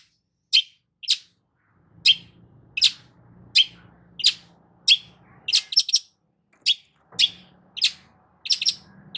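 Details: Long-tailed shrike song used as a lure to get a silent shrike singing: sharp, high, downward-sweeping notes, each struck alone about every 0.7 seconds, with short quick pairs near the end over a faint low hum.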